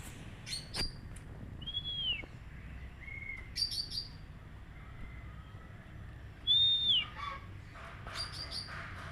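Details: Oriental magpie-robin song played as therapy to get an untrained bird singing quickly: clear whistled notes, some sliding down, mixed with short buzzy chirp bursts at irregular intervals over low background hum.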